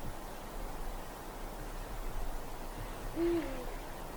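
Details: A single low hoot from a Eurasian eagle-owl comes near the end, after quiet hissing background, recorded in deep forest darkness on a winter night.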